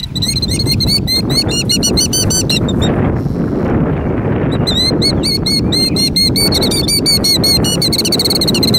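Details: Killdeer faking a broken wing, recorded in 2019: a rapid series of sharp, high, arched notes repeated several times per second, breaking briefly near the three-second mark, then resuming over steady rumbling wind noise.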